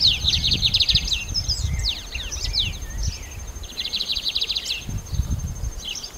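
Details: Lined seedeater singing: two bursts of rapid, even, high trilled notes with a few sharp slurred notes between them. A steady thin whine runs throughout, and low rumbling noise sits underneath.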